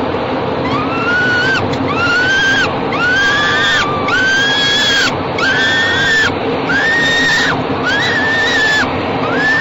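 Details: Falcon chicks in a nest box being fed by their parents on an evening in late May 2013, one parent passing food to the other on the box roof. Harsh, drawn-out harmonic wails rise then level off, repeating about every second over steady background hiss.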